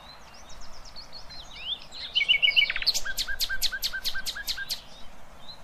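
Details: Nightingale song used for teaching young goldfinches and hybrids: faint thin twittering, then a run of about ten loud, evenly spaced, sharp notes with low ticking undertones.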